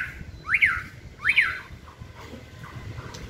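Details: Caged white-rumped shama during singing training on a pole gives two loud, sharp peaked notes less than a second apart, then only faint soft sounds follow.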